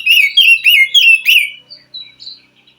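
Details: Wild white-rumped shama from the forest, singing in response to a captive bird reluctant to sing: a loud burst of rich whistled phrases sliding up and down, followed by fainter, higher whistled notes.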